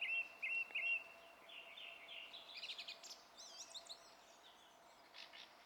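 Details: Song thrush in song, 27 April: a repeated whistled note three times, then softer chattering and looping squeaky notes, fading into quiet with distant hum.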